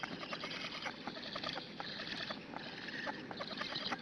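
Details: A nest webcam in Hungary picks up black stork nestlings begging for food on a June morning. The chicks give a quick, scratchy series of squeaking notes in overlapping bursts, with a steady background hiss.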